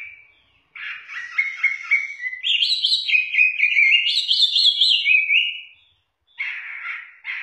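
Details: Chinese hwamei, a caged songbird from southern China, in full song: rich varied phrases of fast high whistles and warbles rising and falling, rapid trills, a short gap, then a rougher burst of notes.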